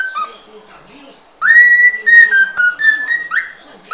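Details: Cockatiel singing its original species song: after a quiet start, a run of clear whistled notes, some rising sharply, others held level or gently sliding, with faint low background noise.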